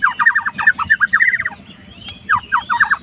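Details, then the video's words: White-rumped shama, a fighter bird, singing to provoke a rival: quick bursts of rapid falling chirps in short groups, a brief pause, then another rapid group, with a low hum behind. "MURAI MACET MALAS BUNYI LANGSUNG RESPON."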